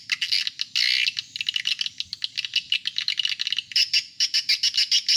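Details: Calls played to attract adult swiftlets, a busy stream of shrill twittering chirps and buzzy rattles in quick succession, with a sustained loud burst near the first second and steady clicking pulses toward the end.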